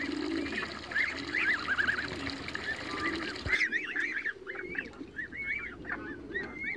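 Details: Young Toulouse geese running in a backyard give high, arching peeps that rise and fall. Several birds call over one another in quick, uneven runs, and there is a low rumble of background noise beneath.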